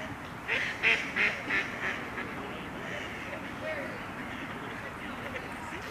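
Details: Young Canada geese goslings fighting and charging at each other outdoors: a burst of five short, shrill peeping calls in quick succession, then quieter broadband noise with one faint note.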